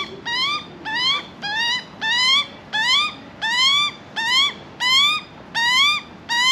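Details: Juvenile Australian magpie in Australia begging, hungry and still not taking food from the hand: steady series of rising harmonic squeals, about one and a half per second, evenly spaced, with quiet background.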